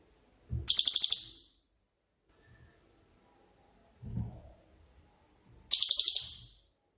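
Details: Cililin, a shooting-style ('tembakan') singer used as master song for songbirds: two piercing high-pitched buzzy trills of rapid pulses, about a second each, spaced several seconds apart, with low knocks between.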